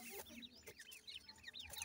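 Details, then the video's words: Several young francolins (Irani teetar chicks) cheeping in short bursts of high, falling chirps, with brief clicks and some background hiss. "teetar chicks sound"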